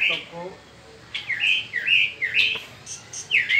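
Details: Spring song of a peninsular mockingbird, a quick run of arching whistled notes that swoop up and down, repeated several times in under four seconds.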